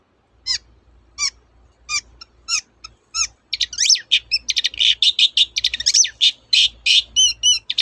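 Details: Long-tailed shrike song used as a lure for birds that will not sing: spaced sharp chips at first, then a dense, rapid torrent of varied high chirps and whistles over a low hum.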